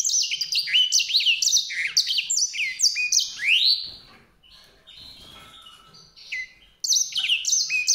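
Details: A white-rumped seedeater delivers about four seconds of quick, high twittering song ending in a rising slur, goes quiet, then starts another burst of bright warbled notes.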